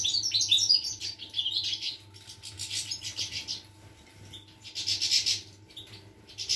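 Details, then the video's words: European goldfinch song recorded on 25 August 2021: fast bursts of bright, high twittering and tinkling notes in clusters, with quieter gaps between phrases and a faint steady low hum underneath. "Chardonneret , El jilguero , bird , cardellino pezzato , GOLDFINCH SONG"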